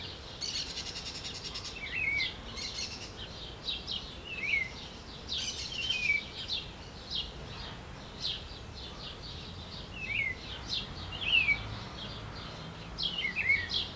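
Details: Green-winged saltator (trinca-ferro) singing: short, clear whistled notes sliding downward, repeated every second or two amid a busy chorus of high chirps and buzzy notes from other birds, with steady background hiss.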